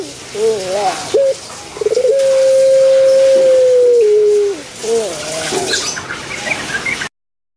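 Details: Kept Barbary dove (Streptopelia risoria, puter pelung) with a big full voice: low, rolling coos, then a long drawn-out steady note that drops at the end, followed by softer wavering coos.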